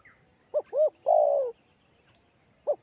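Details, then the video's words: Lure call of a spotted dove from Kalimantan, played so other doves answer: two quick arched coos then a long falling coo, with a single short coo starting again at the end. "gunakan suara tekukur ini || di jamin pasti yg di rumah ikutan bunyi"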